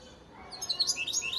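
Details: Young 2019 European goldfinch from Antalya, Turkey: a quick series of thin, high, sliding twitters that rise and tumble over about a second, clean and close.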